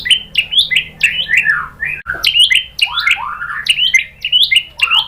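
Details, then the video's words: White-rumped shama (murai batu) song used as a lure to provoke other shamas into singing: rapid series of loud, varied whistled phrases, many sweeping down and rising again, with barely any pause throughout. "bikin MURAI BATU jadi NYAUT GACOR BONGKAR MATERI TEMBAKAN ¦ PANCINGAN MURAI ¦ SHAMA BIRD"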